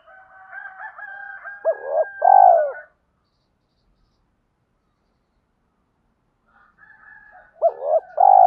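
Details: Decoy spotted dove calling wild doves in, calling and urging styles: a faint steady whistling tone runs before each of two phrases, each a short doubled note then a strong, hollow, falling coo.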